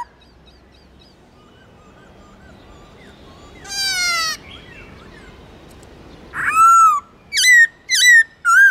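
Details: Black-throated laughingthrush song, quiet at first with faint distant notes and one burst of rapid notes, then loud ringing whistles: one long slurred note followed by three short clear calls in quick succession.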